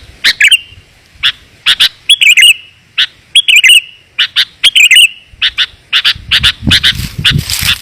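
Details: Clear, close-set lure call of a sooty-headed bulbul, used to bring wild birds in: sharp single chips and short bubbly warbles at an uneven pace, ending with a rustling, noisy background under the notes.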